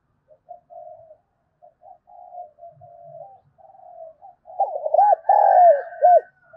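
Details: Spotted dove fight-provoking coos: a run of soft, low, humming notes builds into loud bursts of deep, looping, swooping coos, with a fainter higher overtone toward the end.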